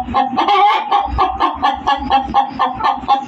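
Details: A hen's loud cackle of rapid, evenly pulsed clucks, about two per second, over a faint low rumble.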